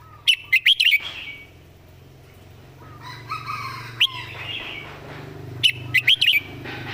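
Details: Red-whiskered bulbul kept as a song-tutor bird, singing with clear word placement and good phrasing: two quick bursts of loud warbled, bouncing notes, a lone sharp note between them, and softer bird calls in the background.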